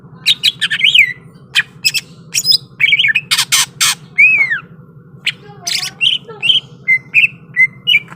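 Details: Greater green leafbird ready to fight, pouring out a fast varied song of harsh clicks, sharp chirps and swooping whistles, with rapid clusters of notes and a continuous low background hum.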